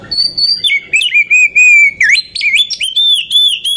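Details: Female Oriental magpie-robin in captivity, sung as a lure to raise other magpie-robins' excitement: a long, sustained whistle sliding lower, a quick swoop, then rising bright whistled notes with rapid chips.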